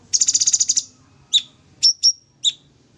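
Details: Sooty-headed bulbul in full 'tembak' song, a master recording: a fast buzzy trill of about ten high pulses, then four separate sharp chirps, some with falling tails, spaced about half a second apart.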